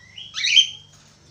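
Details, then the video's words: One budgerigar call: a thin whistle rising into a single loud, scratchy squawk lasting under half a second. "SUARA SIULAN BURUNG PARKIT AUSTRALI / FALK AUSTRALI GACOR"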